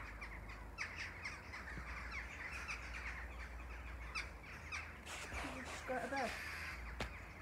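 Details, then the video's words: A flock of western jackdaws, alarmed by something, gives harsh, clipped 'chack' alarm calls overlapping in quick bursts, over a steady low rumble and what may be a brief human voice. "Jackdaws alarmed by something"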